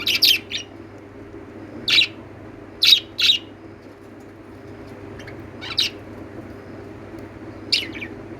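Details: Lovebirds chirping: short, sharp, high-pitched chirps, single or in quick pairs, spaced a second or more apart over a steady low indoor hum.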